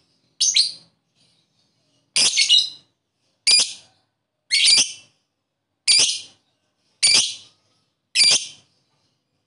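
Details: Lovebird call played to stimulate lethargic lovebirds to sing: sharp, bright chirps repeated about every one to one and a half seconds, seven bursts against a silent background.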